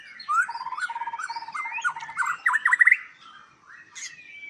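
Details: White-rumped shama at a breeding farm in Palembang, a varied run of clear whistled notes around the middle range, repeated short phrases, then sharper upswept notes near three seconds, fading into softer chatter; a single spoken word follows.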